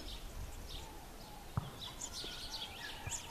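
Bushtits give thin, high twittering chips and short buzzy notes scattered through the clip, over a steady low rumble of background noise.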